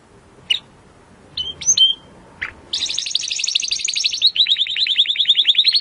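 A Timbrado canary gives a few sharp chirps, then a long metallic rolling trill that breaks into a faster, bubbling series of high notes.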